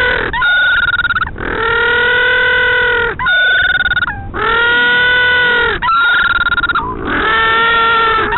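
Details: Noisy little blue penguins close to a northern royal albatross nest at Pukekura/Taiaroa Head near Dunedin, New Zealand: loud, harmonic braying calls in long drawn notes of about one and a half seconds, with short rough breaks between.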